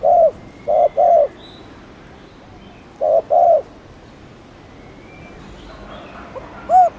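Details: Spotted dove cooing to spur newly caught birds to call. Short groups of two or three soft, low coos are separated by pauses of a couple of seconds, ending with one rising-falling note over quiet hiss.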